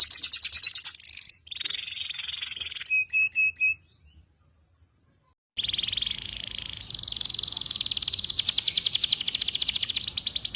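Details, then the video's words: Songbird masteran mix of cucak jenggot, cililin and canary: high shrill trills, a short buzzy section and a few pure whistled notes, then near silence for two seconds before a dense, loud, fast rattling trill. "masteran cucak jenggot cililin kenari"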